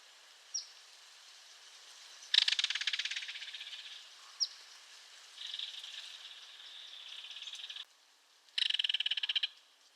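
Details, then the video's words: Belted Kingfisher giving three loud, dry, mechanical rattles, each one to two seconds long, with a couple of short sharp notes between them. "Belted Kingfisher Call"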